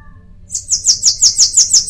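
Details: Bananaquit song, a brief quick string of about seven high, wheezy repeated notes delivered evenly after a moment of quiet.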